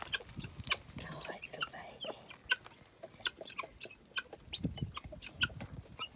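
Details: Helmeted guineafowl with a newly hatched keet that its mother brought back from the nest: a steady series of clipped, dry clucks repeated roughly every half second, with a woman's voice briefly heard.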